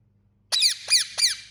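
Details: A pet Indian ringneck parrot screeches three times in succession, each cry harsh, piercing and dropping in pitch, spaced roughly a third of a second apart.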